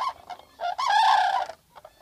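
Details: Common Cranes filmed from a photo hide in southern Sweden in April 2014: a loud, rich trumpeting call, preceded by a few shorter, quieter bugling notes, with fainter crane calls at the end.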